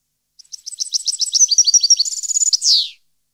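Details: European goldfinch song from 2015: a few soft chirps build into an accelerating series of bright, tinkling twitters and a fast high trill, capped by a prolonged buzzy note sliding downward.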